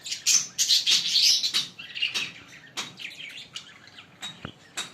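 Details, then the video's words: Fischer's lovebirds, a green pair, chatter in a fast run of shrill, buzzy chirps that starts loud and fades into sparser, sharp single notes. "Lovebird singing & Chirping Sound 5 Minute - Green Fischer pair"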